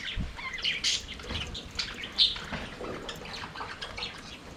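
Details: Budgerigars singing and playing in an aviary: a soft, busy background of raspy chirps and twitters, with one sharper, louder tweet standing out in the middle and faint low knocks.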